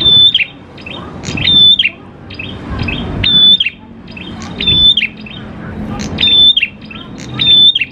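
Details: Grey prinia (prenjak klawu) singing steadily, played as a lure to set other prinias singing: six phrases of a thin, even whistle with a falling end and clicks, repeating roughly every 1.2 seconds against a soft low hum.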